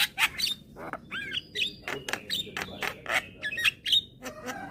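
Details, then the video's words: Young white-eyed Javan myna, calling with head-nodding to lure hybrid mynas. Harsh rasping bursts alternate with clear whistled slurs and looping squeaky notes, a steady chattering medley. "Jalak Kebo Mata Putih Masih Muda Sudah Rajin Bunyi Manggut2 Untuk Mancing Burung Jalak Hybrid"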